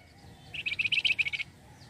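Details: Flamboyan bird calling energetically, a lure sound for trapping birds: one brief run of roughly ten rapid, high, ringing chirps between quiet moments.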